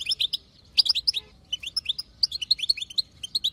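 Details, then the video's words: European goldfinch female from the wild chattering in batbata style to set a male singing; clipped metallic twitters come in three short clusters separated by brief gaps. "بتبتة حسون خلوي تهبل الحسون تخلي يغرد غصب عنو"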